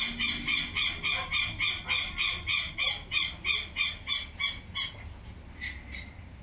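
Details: Young tinamous, given as Cinereous Tinamou and Little Tinamou chicks: a loud, rapid train of sharp high peeps, about thirteen evenly spaced in five seconds, then two softer notes trailing off.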